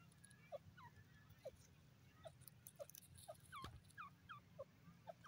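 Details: Francolin giving a steady series of short, hooked notes roughly every half second, some higher pitched, with a sharp click midway and a low hum throughout.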